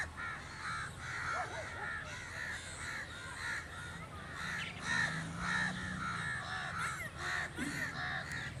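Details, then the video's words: {'text': 'Crows calling in a busy group, many rough caws overlapping irregularly above a low background hum.'} "The amazing birds natural crow sound"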